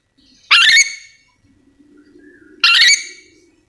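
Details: Two loud, raspy screeching calls about two seconds apart from a Yellow-and-green lorikeet, a Sulawesi endemic parrot, with a low hum in the background.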